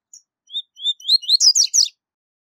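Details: A rusty-collared seedeater (Sporophila collaris) sings its "tui tui zel zel" song: a few clear, slightly rising whistles that speed into a bright jumble of buzzy, twittering notes, all in under two seconds.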